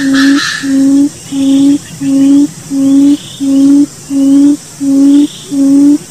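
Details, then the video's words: A quail, used as a lure call for wild quail, gives low, steady hooting notes, each about half a second long, repeated evenly almost every second with no other sounds. "Suara pikat Puyuh hutan"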